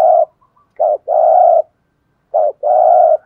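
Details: Spotted dove kept as a decoy bird, with the deep 'giọng thổ' voice, cooing and calling: a short low note followed by a longer, steady, mellow coo, the phrase given twice with a silent pause between.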